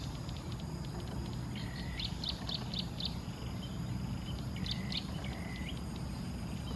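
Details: Indian peafowl hen with her chicks at the animal study station of Mahasarakham University Museum, Kham Riang, Kantharawichai, Maha Sarakham, Thailand, July 2016; high, clear swooping and peeping notes in short clusters over a steady low rumble and insect-like hiss.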